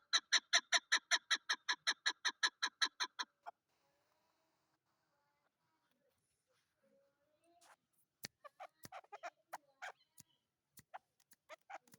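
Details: Chakor, the chukar partridge, calling in a fast, steady burst of clucking chuk notes for about three seconds, then falling quiet before scattered clicks and softer notes follow.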